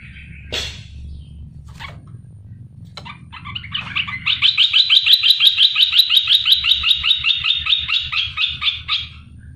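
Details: Olive-winged bulbul, a wild-caught bird kept in captivity for three months, giving a loud, sharp lure song meant to draw replies from other bulbuls; a few scattered notes, then a long fast run of rhythmic chattering phrases lasting about five seconds.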